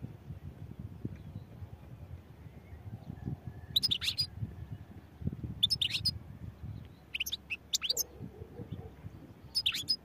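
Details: Scattered bursts of high, buzzy twitters and chirps from a European goldfinch, four or five short phrases spread across the recording. A constant low rumble lies beneath.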